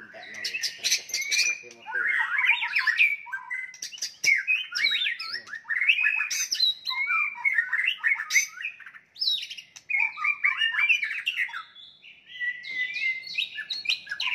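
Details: White-rumped shama delivering fighting song meant to rouse rival birds: continuous dense torrent of varied whistles, chatters and slurred notes over many seconds with only brief breaks.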